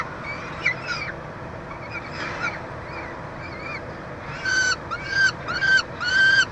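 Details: Peregrine falcons at a nest box at the University of Montreal, Canada, June 2023, chick feeding: soft, scattered chittering notes first, then four loud, ringing wails in quick succession.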